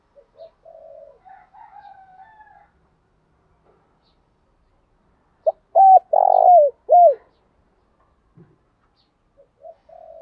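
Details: Spotted dove used as a lure to incite wild rivals: quiet murmured cooing, a pause, then a loud phrase of four deep arched coos with a long swelling middle note, then near silence.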